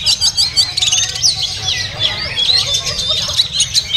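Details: Caged oriental magpie-robin singing at a bird market: rapid varied whistles and chattering notes, busy and overlapping, over a steady crowd murmur and low background noise.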